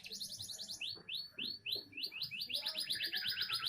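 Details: Young canary singing a quick trill, then a run of clear rising whistled notes repeated about four per second, ending in a dense rapid buzzy roll.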